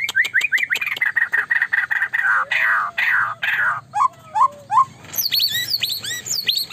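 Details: Energetic white-rumped shama song, described as driving opponents wild: a fast series of ticking notes with a steady tone, then rich slurred phrases and a low sliding whistle, ending in bright upswept notes repeated quickly.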